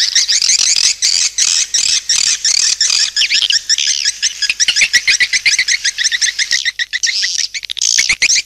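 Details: Lure call of swiftlets, a busy mass of high chirps and trills, rapid and irregular, running nearly without pause and thinning toward the end.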